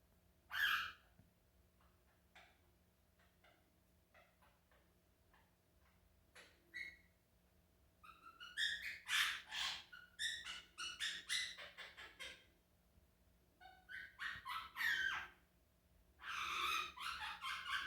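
A monk parakeet gives harsh squawks and chattering bursts mixed with brief whistled notes.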